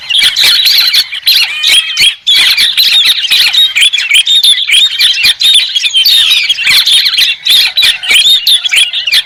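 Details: White-crested laughingthrush in full cackling chorus: continuous squeaky, overlapping notes at high volume, with a short gap just after two seconds and many rapid clicks.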